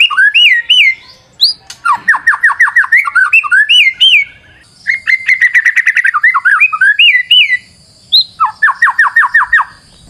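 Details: Actively singing white-rumped shama used as a lure, with looping whistled phrases, fast series of repeated notes and trills, delivered loud and almost without pause.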